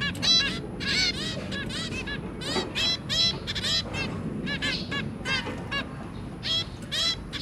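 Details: Zebra finch pair kept with their three young, producing bursts of nasal honking beeps in quick clusters separated by short pauses, several birds calling at once over a constant low hum.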